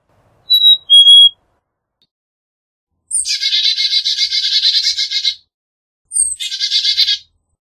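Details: Clean whistled fee-bee of a black-capped chickadee, high note then lower note, followed by two chick-a-dee calls, each a brief high note leading into a long string of fast buzzy dee notes, the first lasting over two seconds.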